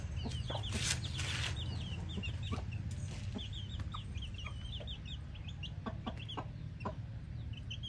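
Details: Chickens with a hen: a dense chorus of rapid high peeps, roughly three per second, over a constant low rumble, with a brief rustling burst early on.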